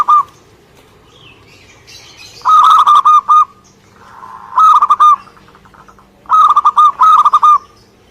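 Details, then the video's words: Lively singing from a local Indonesian zebra dove: three phrases of quick, staccato cooing notes, the last doubled, with soft murmured cooing between them and a thin steady low tone in the background. "Suara Gacor perkutut lokal"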